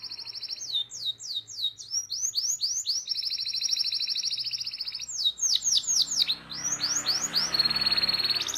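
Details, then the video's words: Long-rolling canary lure song for young birds: swooping whistled notes alternating with long, fast, even trills, with a little background noise toward the end. "PANCINGAN Kenari GACOR PANJANG Cuit Cuit EMOSI‼️ MASTERAN Kenari PAUD belajar BUNYI"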